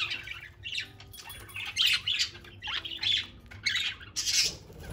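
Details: Several free-flying hand-fed parakeets kept in a house, playful and loud, chirping all day; dense overlapping squawks and warbling chirps in bursts, with a few sharp high notes amid the chatter, indoors.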